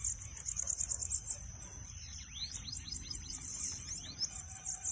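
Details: Kept-bird bananaquit song played to fire up another bird: a rapid high ticking trill opens, followed by scattered thin down-slurred whistles over a constant shrill hum.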